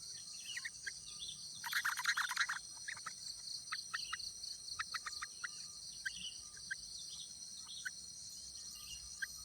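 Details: Wild yellow-vented bulbul at its nest while a parent raises its chicks: scattered short, sharp chirps, with a dense buzzy burst near the start, set against a steady high insect drone.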